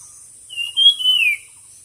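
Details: Bird singing in a song competition: a single high, clear whistled phrase that rises and then slurs downward, lasting under a second, over a steady high hiss.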